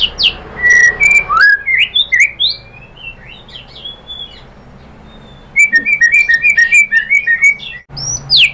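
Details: White-rumped shama lure song meant to make a bird answer and sing: a few sweet whistles and upslurs, a quiet pause, then a fast series of short repeated chirping notes.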